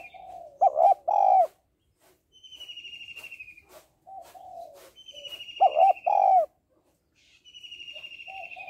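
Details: Calling female spotted dove, meant to stimulate males, repeats a loud paired coo twice, about five seconds apart, followed by softer trailing coos. Another bird alternates a high, buzzy, falling trill between them.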